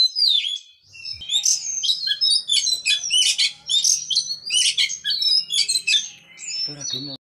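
An Oriental magpie-robin sings a rich, varied run of sweet whistles, buzzy notes and quick trills without pause, with a faint low hum and a brief thump at the end.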